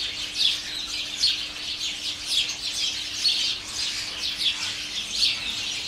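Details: House sparrow colony chattering from garden shrubs, holly and flowering currant, dozens of birds: busy overlapping cheeps with louder chirps standing out roughly every second, a steady low hum underneath.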